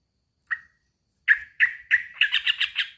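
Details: A male sooty-headed bulbul calls a rival. One short note, a pause, then a series of harsh chirps that quickens into a bubbly, rising chatter.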